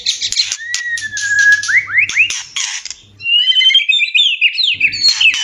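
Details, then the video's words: White-rumped shama (murai batu) mating song: a long level whistle, rising swept notes, a brief pause, then high whistled warbles and twittering; low hum in places. "SUARA PANCINGAN MURAI KAWIN PALING TOP ‼️Terapi ampuh murai cepat birahi."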